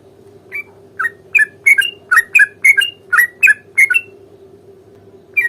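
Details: Sooty-headed bulbul fighting song meant to provoke a response: a tight burst of about a dozen loud, slurred whistled notes, some doubled, between short quiet spells, with a constant low hum.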